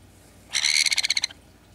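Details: Sun conure, a male with a genetic mutation leaving him without down, primary flight feathers or head feathers, though healthy, with another sun conure of the same age behind him: one harsh, grating squawk about three-quarters of a second long, breaking into rapid pulses at the end; quiet background.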